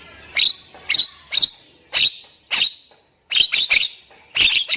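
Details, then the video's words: Nias hill myna, kept bird, singing to prompt silent mynas into song: loud explosive harsh notes repeated about once a second, a brief silence, then a quicker cluster of squawking notes. "HITUNGAN DETIK, JALAK BISU JADI BUNYI"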